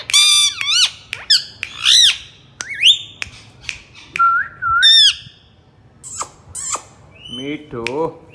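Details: Talking rose-ringed parakeet kept as a pet: sharp squawks, rising whistles, a level whistled note, then a short run of speech-like syllables near the end.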